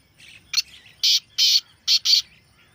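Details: Black francolin in a natural recording: a soft chirping lead-in, then five loud, harsh, grating notes in two clusters, spaced about half a second apart, with a quiet background.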